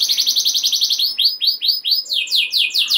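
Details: Canary in full song meant to stir other canaries: a quick even trill, four or five swooping whistled notes, then a fast run of descending buzzy notes.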